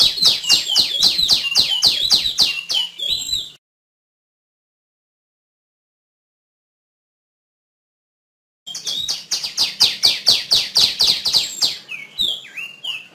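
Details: A female tiểu my bird chirps in rapid, evenly spaced high notes, each sliding downward, in two bursts of several seconds separated by a long silent gap.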